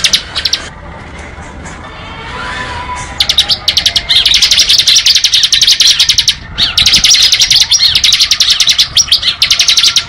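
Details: Bar-winged prinia singing in the ngebren style: after a quiet start, long bursts of rapid, sharp, high chirps, around fifteen notes a second, run almost unbroken from three seconds onward with brief pauses.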